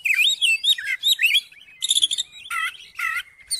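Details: Oriental magpie-robin song for provoking another magpie-robin into singing: looping whistled phrases, then buzzy harsh bursts and repeated descending chirps, with short silent gaps.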